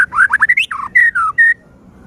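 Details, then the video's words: Vigorous white-rumped shama song meant to provoke other shamas into singing and agitation: loud, clear whistled notes sliding up and down, quick rising slurs, then a few long, steady whistles before falling silent. "Murai batu gacor AMPUH buat PANCINGAN murai batu agar bunyi JADIKAN burung murai EMOSI"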